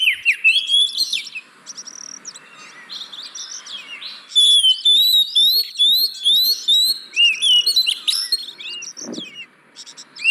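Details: Song of the oriental magpie-robin played as a lure to get reluctant caged birds singing: varied chattering phrases, then a long series of upslurred whistles repeated about twice a second, with a dull thump near the end.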